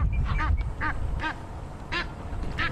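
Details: Egyptian geese in Sabi Sands, South Africa, on a windy evening, 11 November 2015, give harsh agitated honking bursts, about four in under three seconds, as parents chase off two marabou storks to protect six goslings; low wind rumble.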